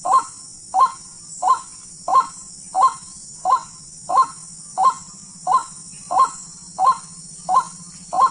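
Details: Wild white-breasted waterhen call heard on a bird hunt. Short rough croaks come in an even, monotonous series, about thirteen notes roughly 0.65 seconds apart, with a steady shrill background whine and faint low droning.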